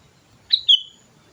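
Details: Sooty-headed bulbul in full song for luring other birds: a single crisp two-note whistled phrase, a rising note then a longer falling one, in otherwise quiet surroundings.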